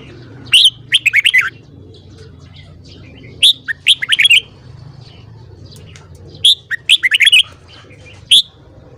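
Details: Morning song of a red-whiskered bulbul, repeated phrases of quick whistled notes roughly every three seconds, with a lone sharp note near the end and steady low background hum.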